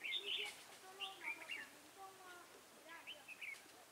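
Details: Red-whiskered bulbul used as a trap decoy to lure rivals, recorded 23 October 2017, singing short bubbly whistled phrases with quick rising and falling warbles, loud at first, then softer phrases repeated after pauses.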